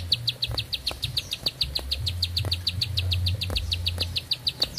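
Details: Bar-winged prinia sings one sustained phrase of quick, high, chipping notes at a steady pace for nearly five seconds, with a low droning hum underneath.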